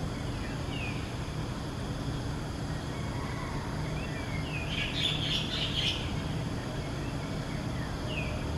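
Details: White-bellied sea eagle chick, perched outside its nest at dawn in Singapore on 6 June 2023, gives short bursts of thin, high, squealing chitters in protest as its sibling plucks its feathers, with faint chirps over a low rumble.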